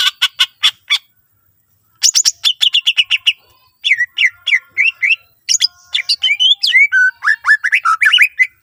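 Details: Greater green leafbird in varied, continuous song, serving as a lure to make other green leafbirds sing; it opens with buzzy chattering bursts, and after a short pause come rapid chips and a stream of lively looping whistles.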